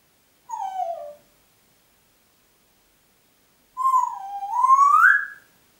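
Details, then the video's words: Congo grey parrot whistling at home in Diebach near Hammelburg, April 2012: a short descending whistle, a pause of nearly three seconds, then a long whistle that dips and climbs steadily higher. "Kongo-Graupapagei pfeift pfeifen"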